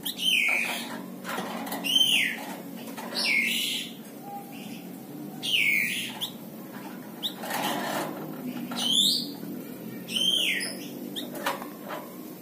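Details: Series of crisp, high chirps from a tame plain prinia (flamboyan or wergan jawa), a small brown bird whose characteristic crecetan chatter is used to tutor other songbirds. Each note drops sharply, repeated every one to two seconds over steady low hum.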